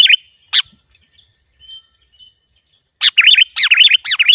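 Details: Sooty-headed bulbul in energetic song meant to attract wild bulbuls: two isolated sharp notes, a long quiet gap, then a dense, chattering run of wavering, bubbly notes in the final second and a half.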